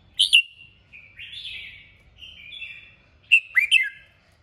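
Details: Red-whiskered bulbul giving a strong stimulating song meant to prompt other bulbuls to sing. Two sharp high notes open into drawn-out, level whistles, then a quick burst of slurred rising and falling notes closes the phrase. Quiet background.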